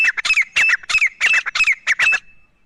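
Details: Male and female grey francolins calling: grating squawks in quick pairs and triplets, each with a piercing whistle that slides down, then the calls stop and fade out.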